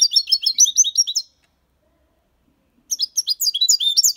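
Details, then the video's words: Six-month-old European goldfinch in Malaga copy song style: dense bursts of high, rapid twittering notes, a pause of about one and a half seconds, then the lively chattering phrases resume. "Jilguero cantando Limpio 6 meses/ chardonneret chante la copia Malaga / Goldfinch singing"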